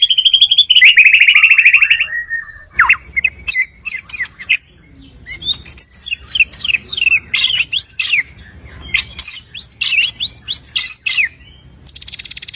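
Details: Varied full-repertoire song of a white-rumped shama, a lure for other shamas: an opening buzzy trill, a descending whistle, then a long run of quick, sharp, upslurred and downslurred notes in tight clusters, ending in another trill.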